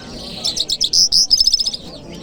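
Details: Short phrase from a Jal Mashhadi lark on a Friday morning in Kabul: a string of quick high chips building to two clear whistled notes, then a fast buzzy rattle.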